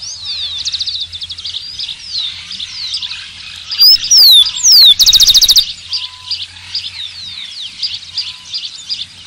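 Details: Zonotrichia capensis song: a short opening note, then descending clear whistles and a rapid buzzy trill near the middle, set against continuous twittering from many other birds before and after.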